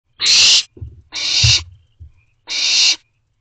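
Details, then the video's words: Barn owl owlets in Owl Box C, wild, calling to their parents for food at 11:48 pm on 24 May 2023; three harsh, hissing screeches of about half a second each, with dull low thumps in the gaps. "Owlets Calling to Parents For Food"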